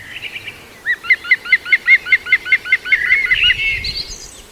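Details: ['At Walthamstow Waterworks Nature Reserve in London, UK, on 5 September 2022, a juvenile female green woodpecker utters a few soft notes, then a ringing, laugh-like run of about fourteen evenly spaced hooked calls ending in a drawn-out squeal.']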